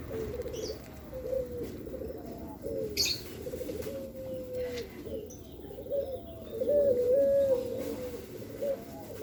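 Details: Pelung dove basking in the sun to stay healthy, repeating low hollow coos that start with a brief rising note and then stretch into a level tone, about every two seconds.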